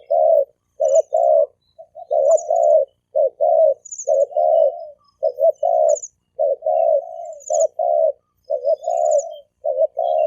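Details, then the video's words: Spotted doves, a male and female pair, coo in the thổ kim style to provoke wild doves. Low hollow paired notes run continuously, and faint high thin chirps repeat above them. "Tiếng chim cu gáy thổ kim kích bổi trống mái"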